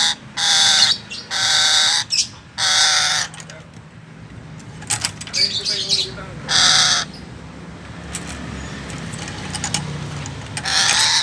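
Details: Chattering lory, also called red-headed lory, giving loud harsh screeches in short bursts. Quieter gaps between the bursts carry a man's voice and background noise.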